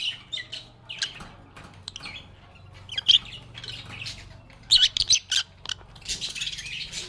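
Lovebirds chatter in bursts of sharp, high chirps and squeaky twitters, several overlapping over a low room hum.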